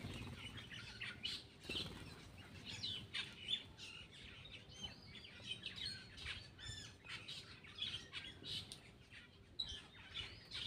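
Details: While feeding, a Black-winged myna gives a long run of scratchy, chattering notes with occasional sharp whistled and upslurred phrases, irregularly spaced, over faint background hum and light tapping.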